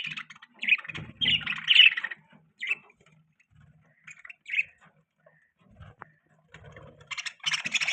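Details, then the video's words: Pet budgerigars chirping: bursts of soft, scratchy warbling chatter and short chirps, pausing between phrases, with faint low clicks and taps in the background. "Budgie Chirping Sound | Budgies Beautiful Voice"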